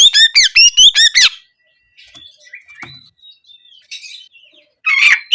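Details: Oriental magpie-robin delivering canary-style nembak kenari notes meant to spur singing: five quick, loud, rising chirps in a row, then soft faint whistles and a final harsh burst.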